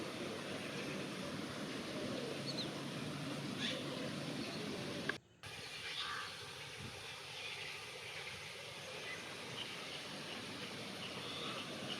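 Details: Steady broadband outdoor noise, like distant traffic, with a brief dropout partway through and no clear animal call.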